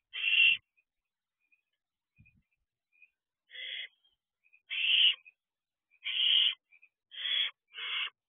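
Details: Barn owl owlets perch at their owl box at night on 3 June 2023. One hissing screech is followed by near silence with faint ticks, then five more rasping screeches come at intervals of about a second.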